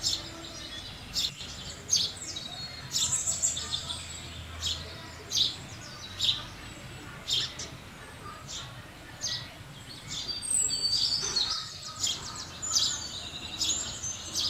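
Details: Steady chattering of house sparrows, with short bright chirps spaced every second or so and busier overlapping twitters toward the end.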